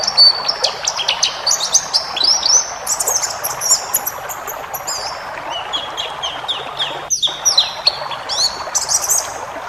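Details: Pleci ngalas white-eye song, full of varied phrases, played to stimulate caged white-eyes: dense chattering high chirps and whistles, a short cutout past seven seconds, then more slurred notes over hiss.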